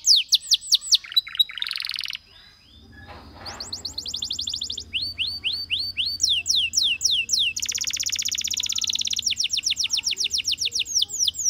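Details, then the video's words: Canary singing in bursts: looping high notes and a buzzy phrase, a brief pause, then long fast tours of repeated swept notes and a buzzy trill over a low hum. "Canary Singing Bird Sounds"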